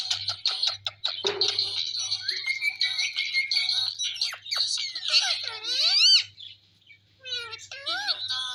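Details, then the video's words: A pair of pet parrots, the male teasing the female, chattering in rapid scratchy clicks and buzzy notes that run into sweeping whistled calls rising and falling, a brief pause, then more curved whistles. "Two Parrot Talking"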